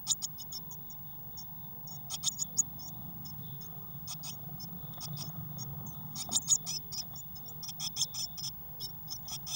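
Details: Six crowded Eurasian blue tit nestlings in a nest box on 22 May 2019, a couple flapping wings. High, sharp, squeaky chirps come in rapid, uneven volleys that swell and fade, over a faint low hum.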